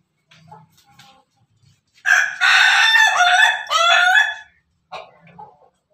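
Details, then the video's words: Pelung rooster crowing: faint clucks, then a long, loud multi-part crow of roughly two and a half seconds that breaks into segments, ending with a few brief clucks. "ember ayam pelung berkokok"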